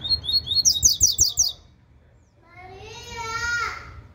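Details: Cicopata-style song of a double-collared seedeater, a rapid series of high, clipped whistles repeated about three times a second, followed after a pause by a wavering, harmonic voice-like sound.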